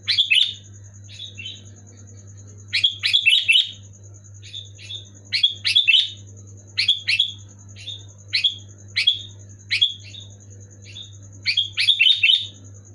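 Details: Sooty-headed bulbul (kutilang) singing loud and clear in 'gacor' style, used to prompt lazy pet bulbuls to sing: about a dozen short bubbly whistled phrases, some in quick clusters, over a steady low hum and a faint high electrical tone.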